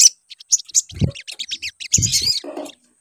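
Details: Sunbird lure song, quieter here: scattered thin high chirps and a brief whistled flourish, mixed with low thumping knocks.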